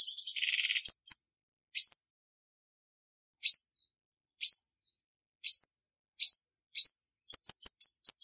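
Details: Female olive-backed sunbird calling with no background noise: a buzzy burst opens, then clear high upswept chirps spaced a second or so apart, ending in a quick run of rapid repeated notes.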